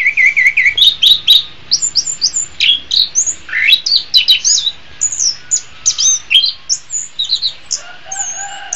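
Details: Orange-headed thrush singing a long, rich medley of high whistled phrases and quick chips, bursts repeated almost every half second, used as master song to train caged songbirds, best in morning or afternoon.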